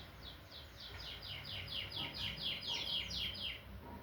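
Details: Canary singing a steady run of repeated downward-sweeping high notes, about two per second, forming a rolling trill with low background hum.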